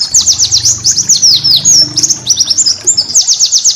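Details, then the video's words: Master song of a pleci (white-eye) for cage-bird training: shrill, rapid downward-sweeping notes in tight series, broken by brief flat whistled phrases, then another quick sequence of thin chirps. "masteran burung pleci"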